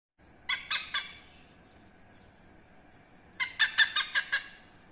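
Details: Hornbill, a rare protected bird, calling behind a house in Indonesia: loud, harsh, nasal cackling notes in two bursts, first three quick notes, then after a pause a faster run of six, over a steady high hiss.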